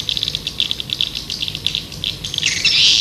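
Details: Rhythmic high chirps of swiftlets, used to attract birds, repeated several times per second, ending in a louder, harsh burst of shrill twittering.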